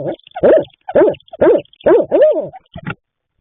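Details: Barred owl at a nest box at night in March, the male bringing food to the female incubating three eggs; six loud, hoarse, wavering arched notes given in quick uneven succession, then a short final note, over silence.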